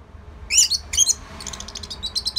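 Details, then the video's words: Singing orange-headed thrush, meant to coax other birds into song: two bright, high squeaky phrases followed by a rapid run of thin ticking notes, faint hum behind. "Kicauan ANIS MERAH Gacor Selow"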